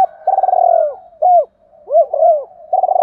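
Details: Cooing of a spotted dove as a lure call for attracting doves: a long throbbing descending coo, then separate arched hoots with soft murmurs between, and another pulsed coo beginning at the end.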